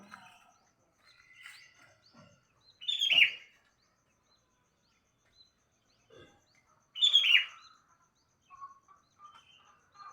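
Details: Sooty-headed bulbul in the morning giving two loud, bubbly, downslurred whistled phrases about four seconds apart, with scattered soft chirps from other birds in between.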